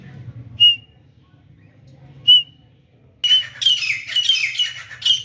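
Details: Grey francolin, called teeter, during fighting: two isolated sharp whistled notes well apart, then a sudden run of loud, harsh, squealing calls with whistled peaks.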